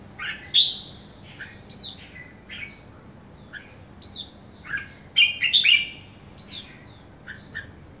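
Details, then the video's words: Young red-whiskered bulbul kept in a cage, described as a somersault kekek bird, sings bright chirpy whistled phrases with sharp upward and downward slurs, clustered into a quick run of notes near the end. "Young somersault merbah jambul kekek"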